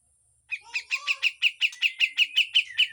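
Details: Grey-cheeked bulbul in harsh full song with besetan, a training recording: after silence, a steady series of about thirteen loud, sharp chips, evenly spaced roughly six per second, with a thin whistled line below them.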